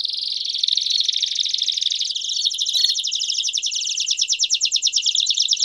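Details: Canary performing campainha song with chirps, for training young canaries: a continuous, dense, buzzy high trill, shifting to a slightly different rolling tour midway, with one brief sharp click.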